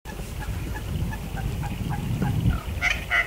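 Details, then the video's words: Little wattlebird giving a run of soft clucking notes, then two loud, harsh, rasping bursts, over a steady low rumble; New Holland honeyeaters, upset at wattlebirds visiting their flowers, call in the mix. "Little Wattlebird call"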